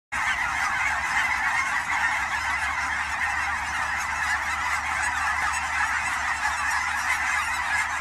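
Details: Canada geese during fall migration at Fern Hill Wildlife Area near Forest Grove, Oregon, among the Willamette Valley ponds; a large flock honks in a dense, unbroken chorus of overlapping nasal calls that holds steady for the full eight seconds.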